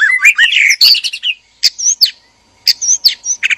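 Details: White-rumped shamas, male and female, kept in a breeding cage, sound played to arouse mating: dense warbled rising and falling phrases, then scattered sharp high chips and whistled notes separated by short silences.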